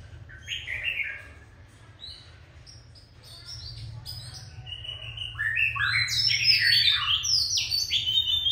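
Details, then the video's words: Feisty song of an adult Oriental magpie-robin taken from the wild: a short whistled phrase, a quieter pause, then a loud, dense rush of varied high notes over a steady low hum. "Giọng ca choè già rừng đanh đá"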